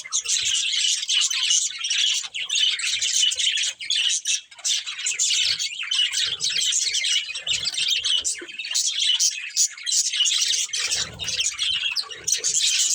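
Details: Several budgerigars from a family flock chirp together in an unbroken, busy stream of twittering squeaks and warbles that barely dips over the whole stretch.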